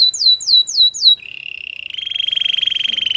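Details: Canary song used to encourage other canaries to sing: four descending whistled notes followed by a long, rapid, rolling trill that rises slightly in pitch.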